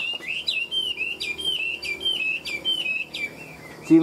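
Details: Wild-caught, 90–95% tame caged Chinese hwamei, a good fighter, sings a rich, continuous run of loud slurred whistles, looping and varied phrases about two per second, with a brief thump at the end.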